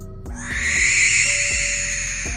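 A Barn Owl gives one long, harsh, hissing screech lasting about two seconds, held steady and rasping throughout, over quiet background music with a soft beat.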